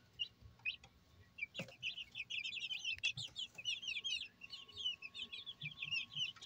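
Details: Brahma chickens at a breeding farm in Barreal de Heredia, Costa Rica, give a steady chorus of many high, thin overlapping peeps and chirps, with a few low knocks and soft background hum.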